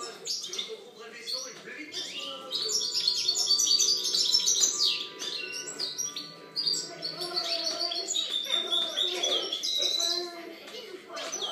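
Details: A European goldfinch song from 2013. Rapid, liquid twitters and tinkling notes pour out almost without a break, over a steady low hum with faint tonal lines.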